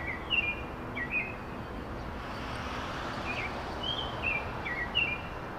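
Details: Spring song of an American robin perched in a tree in urban Chicago, possibly marking territory or seeking a mate; clear whistled carolling phrases come in short bursts, with a pause mid-clip, over constant city traffic hum.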